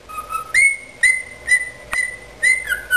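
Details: A cockatiel sings its species' original song: a clear, steady whistled tune, one note low and the rest higher, with short rising chirps about twice a second.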